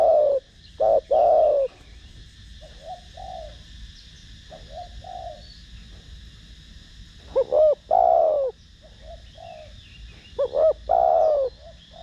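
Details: Spotted dove (cu gáy) in thổ đồng voice, calling to lure other doves: loud deep coos open, quiet soft notes follow, then two more phrases of short notes leading into long hollow coos.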